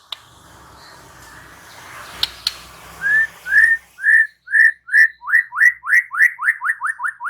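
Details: Murai batu, the white-rumped shama, answering with vigorous song while unloading its repertoire. After a hissy start with two clicks, it gives a long series of upslurred whistles that grow quicker and closer together.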